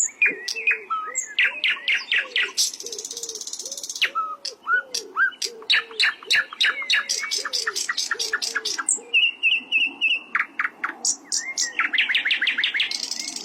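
A Bluethroat sings a rich, fast medley of high ringing notes, metallic buzzes and rapid repeated trills, changing phrase every second or two over a soft, low warbling underneath.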